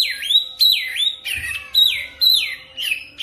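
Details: Oriental magpie-robin (kacer) lure song for training, fast rolling delivery: a run of loud, clear whistled notes, each dipping then rising, repeated about six times in quick succession.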